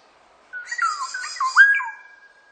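A single fluty, liquid whistled phrase from a Black-naped oriole lasts about a second and a half, its slurred notes dipping and rising, with a faint raspy edge. No other sounds.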